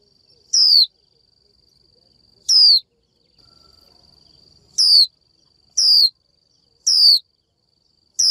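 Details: Female Japanese white-eye calling out to a male to get him singing: six brief, bright, downslurred 'chiu' whistles, the first two about two seconds apart, the rest closer together at about one-second spacing.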